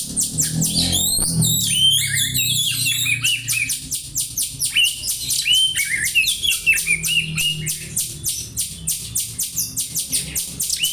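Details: Oriental magpie-robin mimicking sparrows (burung gereja), a recording meant for tutoring: quick twisting whistles at the start give way to steady rhythmic high chirps, roughly one or two per second, with scattered whistled notes and low background rumble.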